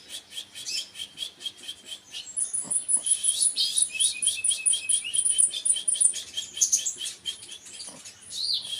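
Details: Sunbird singing a dense run of very high, thin chirps repeated several times a second, over a long, steady, piercing high whistle held through the middle of the song.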